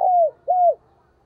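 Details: Spotted dove decoy bird in thúc and gáy gọi calling: two smooth, drawn-out low coos, each level and then falling away at the end, separated by a brief gap, with a quiet background.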